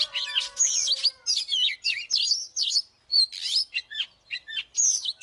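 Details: Oriental magpie-robin singing as a fighting lure: loud, dense phrases of swooping whistles and buzzy chatter, each burst lasting about half a second, with brief gaps between them and a faint low steady tone at the start.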